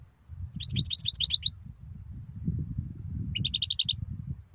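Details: European goldfinch singing: a fast tinkling run of high twittering notes, a pause, then a shorter rapid series of repeated chirps, over low rumbling background noise.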